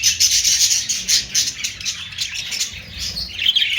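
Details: Budgerigar flock giving rapid high chirps and squeaky warbles in quick bursts, with a brief rising squeal near the end.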